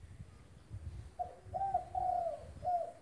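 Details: Spotted dove in full voice, recorded as a tutor for doves that have stopped cooing: a run of four soft, hollow, mid-pitched coos, the third drawn out longest, over faint low background rumble.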